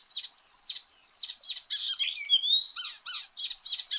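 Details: Icterine warbler in full song, recorded for use as a training song for cage birds: a rapid run of short, high chirps and buzzy notes about every half second, broken by a long rising whistle near the middle.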